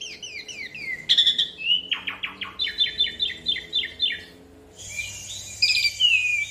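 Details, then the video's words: Asian pied starling singing an extended rolling song to prompt other birds to sing: falling whistles, a harsh burst, a run of rapid chattered notes, then mixed whistles and squeaks. "Jalak Suren gacor Ngeroll Panjang Pancingan Dan Masteran Jalak Suren Bikin Cepat Bunyi"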